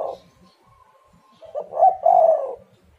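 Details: Spotted dove calling as a lure for other doves, a faint coo at the start, then a loud phrase of short stuttered notes running into a long rolling coo.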